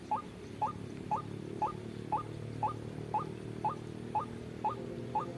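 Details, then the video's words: Lure call of white-breasted waterhen for trapping: brief rising notes at a steady beat of two per second, eleven in all, evenly spaced, with faint hum underneath. "suara pikat burung ruak ruak"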